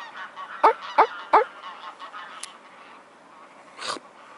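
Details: Mute swan at Loschwitz harbour, Dresden, Germany, on a January night in 2018: three loud, short, nasal honks in quick succession about a third of a second apart, followed by softer calls and a brief noisy burst.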